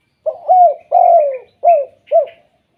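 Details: Spotted dove giving a 'kuk 2' type call, used to make other spotted doves call; four low, hollow coos, the middle two longer and falling, over about two seconds in a quiet setting.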